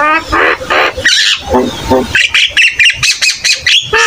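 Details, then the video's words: Javan myna song used for tutoring young birds: broad, rasping nasal squawks alternating with higher scratchy notes in a fast, uneven chatter. "Burung Jalak Kebo gacor"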